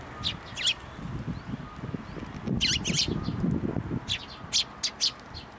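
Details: Young Eurasian tree sparrows flying to a plum tree to be fed at a Tenmangu shrine, Japan, 25 May 2024; bursts of sharp, high chirps in quick clusters over a low rumbling background.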